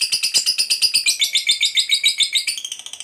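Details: Fighter lovebird gives its long 'ngekek' chatter, a fast run of shrill, high buzzy notes, nearly four a second, calling to draw other lovebirds into chattering.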